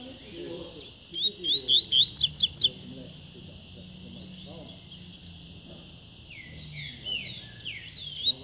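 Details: Double-collared seedeater singing a fast tui-tui style song: a burst of rapid, high, sharp repeated notes near the start, then scattered softer thin chirps and twitters.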